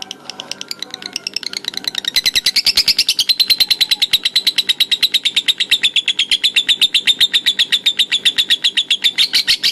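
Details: Lovebird giving a ngekek konslet trill: after two seconds of softer chatter, a long, rapid, machine-gun-like burst of sharp pulses settles into a steady high rattle that runs unbroken to the end.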